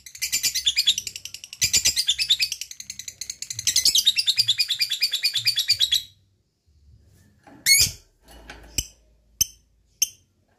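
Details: Lovebird ngekek chattering song in bursts: three fast runs of harsh high chirps over the first six seconds, then silence broken by a few sharp isolated clicks or chips.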